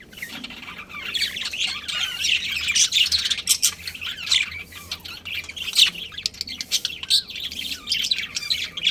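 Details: Pet budgerigars from a breeding pair warbling and chirping continuously, a busy stream of high twittering and short rising notes over a soft hum.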